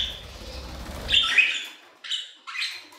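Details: Budgerigars in an aviary: a short buzzy squawk followed by two separate clipped chirps about half a second apart, over a soft low hum that fades out.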